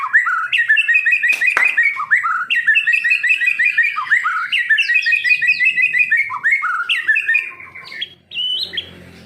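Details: Energetic song of a kept white-rumped shama trained for competitions: a dense stream of sweet, warbling whistles and quick upslurs, interrupted by a sharp click, fading into softer notes near the end.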